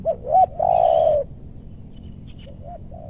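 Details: Spotted dove coos during luring of wild doves in meranti woodland in West Bogor, Indonesia; a clipped two-part note, then one long, loud, slightly falling coo, followed by quieter coos further off.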